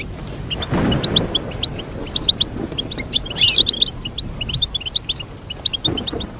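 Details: Goldfinch twittering in lively high chirps and tinkling runs, with a dense jangling flurry in the middle and occasional low thumps in the background.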